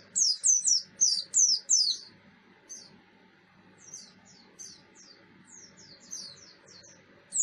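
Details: Buxton's white-eye, 'ngalas' style song meant as a lure for other white-eyes: an opening run of loud, shrill descending chirps, then a stretch of softer, spaced high notes and a final sharp chirp, with low hum behind.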